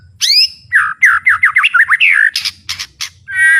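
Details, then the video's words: Captive white-rumped shama (murai batu) in full-power song with fighting spirit: a high slurred whistle, then a rapid run of short falling and rising notes, harsh bursts, and a final held whistle. "ISIAN MURAI BATU GANAS❗TEMBAKAN MURAI BATU BUKA PARUH VOLUME PENUH POWER💥 SHAMA BIRD"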